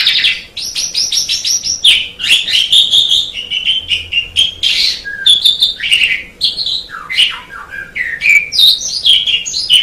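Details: Asian pied starling singing a tutor song for training songbirds: a long, varied, rapid babble of chattering notes, harsh buzzes, and bright whistled slurs that rise and fall, with barely a pause throughout.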